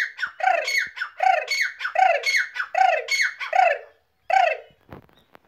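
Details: Grey francolin giving a loud, rhythmic call series: repeated harsh phrases, each a buzzy rising note followed by a lower, strong downslurred note, about seven phrases in four seconds, then one last phrase after a pause.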